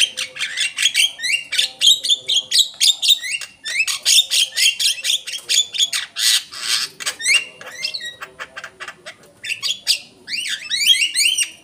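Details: Javan myna lure recording: rapid, chattering sequence of harsh squawks mixed with sliding whistled notes, about two per second, continuous over the whole stretch.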